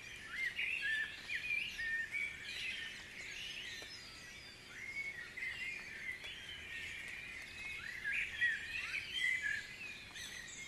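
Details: Early-morning chorus of birds at Guisborough: bursts of rapid chirping and warbled phrases come in uneven waves, with quieter gaps between the louder clusters of overlapping song.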